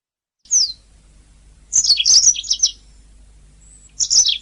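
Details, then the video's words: Canary song used as a master recording for training songbirds: short bursts of high, rapid twittering trills separated by pauses. "Ocehan Burung Kenari"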